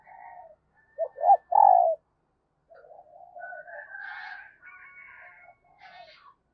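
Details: Female dove calling to stimulate males. Three quick, loud coos rise to a long falling note, followed by softer, wavering low cooing and a faint higher buzzy overlay.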